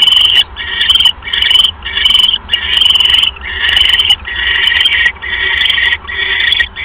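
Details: Owl calling at the nest while a mouse is brought in on the evening of 1 January 2015. Harsh, wheezy hissing bursts of about half a second follow one another in a steady chain, with faint clicks.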